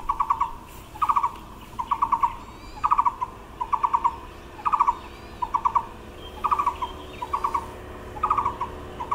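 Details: A Taiwan barbet sings in March 2021 among kapok blossoms, repeating short, hollow, mid-pitched rattling bursts of four to six quick notes about once a second. Faint chirps from other birds sound behind it.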